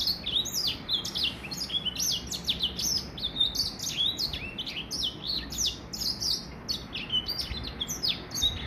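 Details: Young hybrid finch, a Gray Finch crossed with a Lemon-breasted finch, aged three months, singing its first complete song in 2020: a continuous, rapid twittering of high chirps, slurred whistles and short trills, steady throughout.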